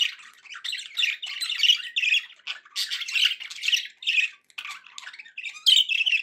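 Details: Budgerigars producing a busy, scratchy chatter of squawky notes and thin whistles, loud stretches alternating with softer passages.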